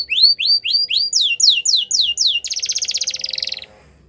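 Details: Yellow canary singing outdoors in the wild: a row of about eight loud rising-falling whistled notes, roughly four per second, then a fast rattling buzzy trill that fades out.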